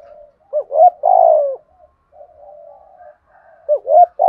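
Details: Spotted dove giving 'thúc gù' coos: hooked rising notes run into a long, loud, falling coo, followed by soft murmured cooing, and then a second phrase begins.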